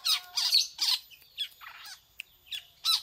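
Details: A long-tailed shrike sings a prinia-like imitation, delivering harsh, scratchy squawking bursts in quick irregular succession, separated by brief pauses, with one sharp click-like note midway.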